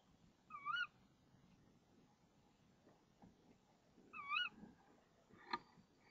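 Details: Female tawny owl in a nest box at 05:28, 26 March 2014, while the male brings a frog. Two wavering calls about three seconds apart and a short sharp note sit over steady background hiss.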